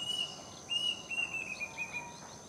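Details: Plaintive cuckoo calling in the afternoon from a mango tree near a house: a run of clear whistled notes that step gently downward in pitch over about two seconds, with a faint hiss in the background.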